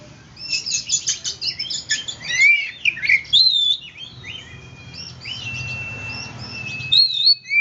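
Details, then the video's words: White-rumped shama singing to spur silent shamas into song: quick scratchy chatter and sweeping whistled phrases, then a quieter stretch with a long thin whistle before a final burst, over a soft low hum. "Suara kacer gacor cocok untuk pancingan kacer macet bunyi"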